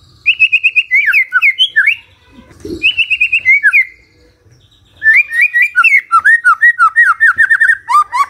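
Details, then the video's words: Morning magpie-robin song used to prompt a quiet bird into answering: bursts of sweet, looping whistled notes, a short gap with a low soft thud, then a longer varied stream of quick slurred whistles. "Pancingan PAGI PAGI AGAR MURAI GACOR❗ murai diam pasti ikut NYAUT❗❗"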